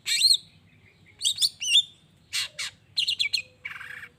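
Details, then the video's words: Long-tailed shrike singing to provoke rivals into answering: looping whistled notes, clipped harsh bursts and a raspy scratchy phrase, irregular and energetic over about four seconds. "Cendet Gacor Pagi Siang Sore...Merangsang Emosi Cendet Manapun Agar Cepat Nyaut Emosi Dan Ikut Bunyi"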